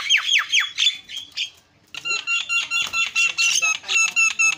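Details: Javan myna, calls used to lure other mynas into calling: a few ringing slurred notes, a short pause, then a steady rhythmic series of harsh nasal squawks.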